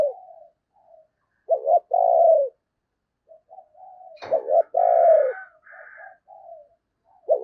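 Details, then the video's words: Spotted dove serving as a lure for wild doves during Tết, calling low hollow coos: soft lead-in notes, a quick double note and a long hoot, repeated twice, with one sharp tap in between. "Tiếng Chim Cu Mồi Thúc Gù Cực Hay và Hắp Dẫn Để Anh Em Kích Bổi Mùa Tết"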